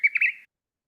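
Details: Singing honeyeater's simple vocalization: a quick burst of two or three bright, slightly buzzy notes, mid-high in pitch, lasting under half a second.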